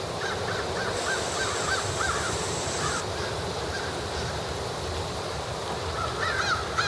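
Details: Crows feeding as they begin gathering before roosting, many harsh caws overlapping in short bursts, fainter and partly masked by steady broadband background noise, with a thin high tone early on.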